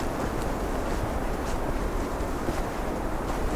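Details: Heavy wind buffets the microphone in a constant low roar, with no animal calls.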